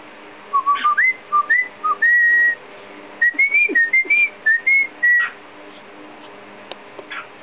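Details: Pet cockatiel whistles the human tunes "Tequila" and "The Entertainer", mixing them together, in clear, pure notes stepping up and down in pitch.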